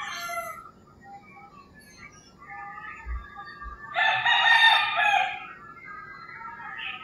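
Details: Rural Philippines at early morning: scattered bird chirps give way to a rooster's loud harsh crow lasting about one and a half seconds, with a few low knocks beforehand and a short bird note after.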